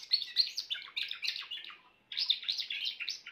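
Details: Grey Timbrado canary delivering rapid, warbling trills of high, ringing notes, broken by a brief pause before another fast rolling phrase.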